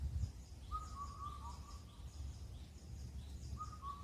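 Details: Indian cuckoo, a mountain bird of Cheonmasan, Incheon, Korea, which sings through the night at the end of spring: one clear four-note whistled phrase on a low, level pitch, the last note dropping, then the start of the next phrase, over low rumbling background noise.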